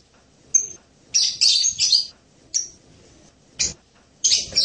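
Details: Blue-crowned hanging parrot singing: sharp, very high chirps and short shrill bursts in irregular clusters, separated by brief silences, with no other clear sounds.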